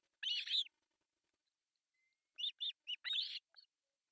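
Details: Breakfast-time begging by three osprey chicks on an artificial nest, Pohjois Satakunta, Finland, 1 July 2024: one long grating squeal, a pause, then a rapid series of short high chirps ending in a longer rasp.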